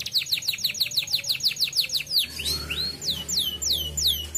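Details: A canary song meant as a lure to prompt other canaries to sing: a fast run of high, downslurred whistles, then slower, longer sweeping whistled notes, with a faint low hum underneath.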